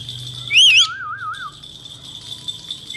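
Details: Male Indian ringneck parakeet giving a loud wavy whistle that runs straight into a lower rippling warble, then quiet apart from a steady high tone, with another whistle starting at the end.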